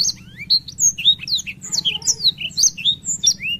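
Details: Blackthroat canary in long ngerol rolling song, pouring out quick high whistles that swoop up and down, tightly packed with barely a pause, over a steady low background hum.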